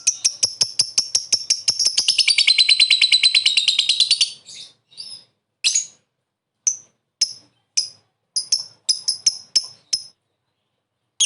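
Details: Lovebird lure sound: a run of rapid shrill clicks builds into a dense grating ngekek chatter, then breaks into isolated sharp squeaky calls spaced about half a second apart.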